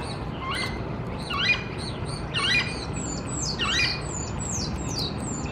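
Green-barred Woodpecker giving harsh, squawky calls about once a second, with thin, high, falling whistles above and a low background rumble.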